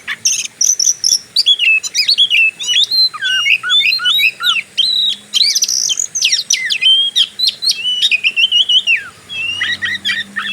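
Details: Oriental magpie-robin fighter-style song meant to provoke other birds, a rich, rapid medley of swooping whistles, sharp chips and warbled phrases, with short pauses between bursts.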